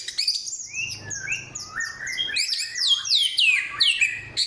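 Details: Black-throated laughingthrush (samyong) with a song of '1001 voices', loud and clear, forest-bird material: rapid varied high whistles, slurred downward notes and chirps tumbling in quick succession, with a faint low hum beneath.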